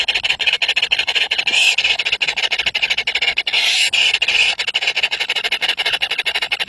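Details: Hungry chicks, three baby birds, calling to be fed: steady high-pitched squealing with fast scratchy pulses throughout, swelling briefly louder near the middle.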